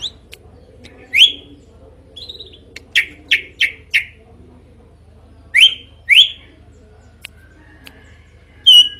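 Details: Loud, varied drongo song with scattered upslurred whistles, a quick run of four short clipped notes, paired rising calls and a late sharp note, all over a faint low hum.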